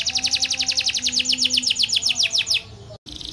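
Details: Rapid, even trill from a chatty canary, many high sliding notes per second, ending abruptly in a short silent break before a softer passage.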